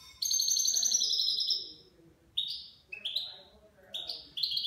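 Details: Levantine-style song from a nine-month-old goldfinch: a sustained, buzzy trilled phrase over a second long, then a series of short rising chirped notes repeated roughly every half second.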